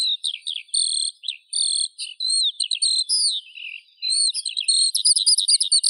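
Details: Eurasian skylark singing high sustained whistled notes and warbles, ending in a fast run of repeated sharp chirps.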